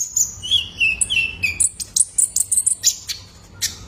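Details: {'text': "Young male Van Hasselt's sunbird, kept as a lure to make cage birds sing. A thin, high, slurred whistle drops in pitch, then comes a quick run of sharp, very high ticking chirps."}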